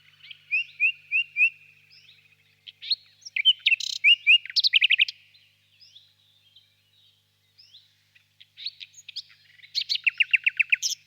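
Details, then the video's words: Distant nightingale song in a birch grove on a warm spring evening: a run of four evenly spaced clear whistles, then bursts of sharp repeated notes and fast rattling phrases separated by brief pauses. "Пение соловья"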